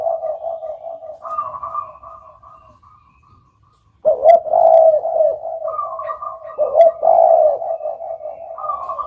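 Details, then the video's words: Repeated low, mellow coos of a spotted dove, with a slightly higher coo phrase laid over them and a brief silent gap before the cooing resumes. "suara burung derkuku"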